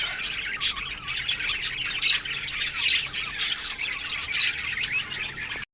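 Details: Budgerigars in an aviary colony chirp through the morning, overlapping squawky warbles from many birds with a low steady hum, ending in sudden silence.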